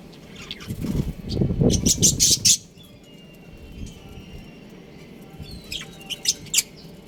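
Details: A breeding pair of pet budgerigars: a quick burst of bright, sharp chirps over a low fluttering rumble, then a quiet stretch, then a few short high chirps near the end.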